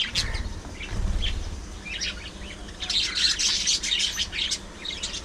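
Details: Several pet budgies, parakeets kept together and seen singing, talking, squabbling and grooming, give scattered high chirps and short scratchy warbled notes in bursts, busiest toward the end, over a low rumbling background.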